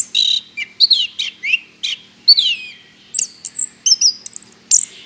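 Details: Lure song of an Orange-headed thrush, used to set other birds singing: short descending whistled slurs first, then high, thin, sustained notes in quick succession.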